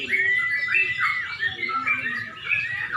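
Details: At a Pemalang bird-singing contest near dusk, a Yellow-vented Bulbul gives clear, slurred whistled notes rising and falling, set against other singing bulbuls and quiet voices.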